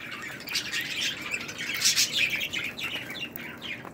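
Budgerigar warbling: a fast, unbroken chatter of high clicks, squeaks and short whistles, with no clear rhythm.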